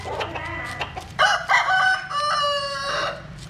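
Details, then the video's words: Japanese-Cuban bantam rooster sunbathing in the Vietnamese countryside; a hoarse crow with a choppy start and long sustained final note over continuous background noise and other clucking. "Gà Tre Jap Cuban Tắm Nắng. Gà Gáy"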